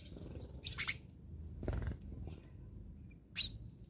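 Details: House sparrows fighting in South Africa: a quick cluster of harsh, clipped chirps early on, then a single sharp chirp near the end, over steady low rumbling background noise.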